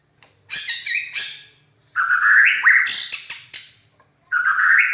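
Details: White-rumped shama with a loud, rough-toned champion song: harsh buzzy bursts alternate with rising whistled phrases, delivered in quick varied strophes separated by brief pauses.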